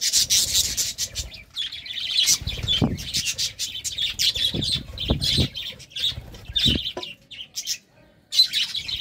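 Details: Courting budgerigars; a long stretch of busy high warbling and chirping with rasping notes, mixed with soft low thuds and brief gaps.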